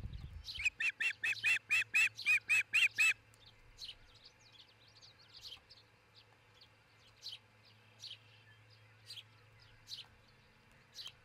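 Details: Osprey on its Charlo, Montana nest, on a camera in the early morning of 22 June 2018; a rapid run of about nine loud, evenly spaced whistled cheeps, then softer scattered chirps over a low hum.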